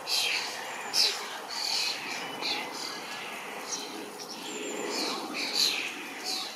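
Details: Starling fledglings in a large berry bush give harsh, rasping, hissy begging calls, about one or two a second in uneven bursts, waiting for a parent to feed them rather than taking the berries, with faint outdoor background noise.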